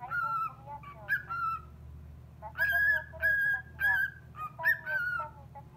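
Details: Cockatiel showing off its voice to a recorded call-centre operator: a whistled phrase, a brief lull, then a lively series of strong, even whistles about every half second, with a steady low hum throughout.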